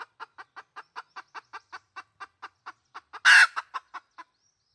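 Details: Hen red junglefowl used as a decoy sound, giving a long run of evenly spaced clucks about five per second, broken near the end by one loud harsh burst.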